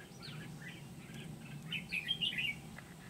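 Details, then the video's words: Red-whiskered bulbul decoy luring wild birds in Kim Bôi, Vietnam, on 8 September 2019, giving a few thin chirps then a bright, rapid, bubbling whistled phrase in the second half, low hum beneath. "Bẫy chào mào Bổi Kim Bôi"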